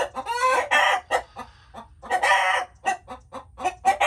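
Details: Chickens clucking: two drawn-out, rough squawks with rich harmonics, each followed by a string of brief, clipped clucks at an irregular pace.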